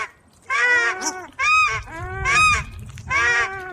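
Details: A Paradise Shelduck, a noisy New Zealand duck of rivers, wetlands and farmland whose males give loud honking alarm calls, gives loud harmonic honks, four in under four seconds, each a nasal two-part note with a slight rise.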